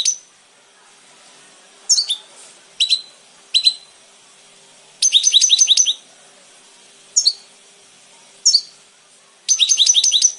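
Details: Goldfinch song in brisk clusters of sharp, high tinkling chirps, some single downslurred notes and some rapid rattled runs, separated by pauses of a second or more against faint steady hiss.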